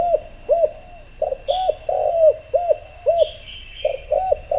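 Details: Spotted dove used as a decoy to call in wild doves, giving a steady run of low, mellow coos, each a short rounded hoot, about two per second, with thin high chirping of other birds behind.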